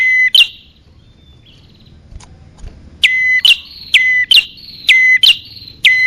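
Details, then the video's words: Calling bar-winged prinia used as a lure for both sexes: a single shrill note, a quiet gap, then a fast series of loud paired whistled notes, each rising sharply then holding steady. "Suara pikat burung kecil paling ampuh | Anti Gagal Khusus Prenjak Atas Betina Jantan"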